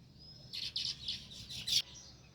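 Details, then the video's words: Sparrow near its nest in a village setting giving a quick run of five high, sharp chirps packed into little more than a second, over faint low background hum. "Sparrow View | Chirping Sounds"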